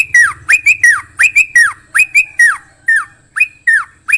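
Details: Sooty-headed bulbul, loud and close, delivering clear downslurred whistled notes and quick paired chirps, spaced irregularly with short silent gaps between them.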